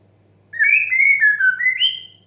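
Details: White-rumped shama in the sighing 'desahan' song style, used as therapy to stimulate young, stressed or untrained birds to sing. One smooth, clear whistled phrase slurs downward in steps, then rises at the end, and lasts about one and a half seconds.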